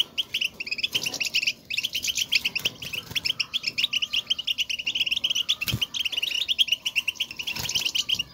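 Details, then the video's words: A flock of goldfinches calling to each other to mark their presence, the motivating 'bitbita' chatter for caged birds: unbroken rapid twittering, bright and high, with a few dull knocks. "بتبتة وستستة, لمساعدة الحسون على التغريد"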